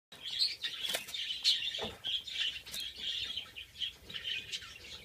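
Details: Captive Antillean siskins, breeding pairs with males from 2013 and a young 2014 male not yet in full colour. Several birds give jumbled, high twittering chirps, with wing flutters throughout.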